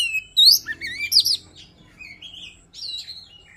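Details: Shama luring song in a short passage of loud, swooping whistled phrases followed by softer, lower warbled notes and quiet pauses.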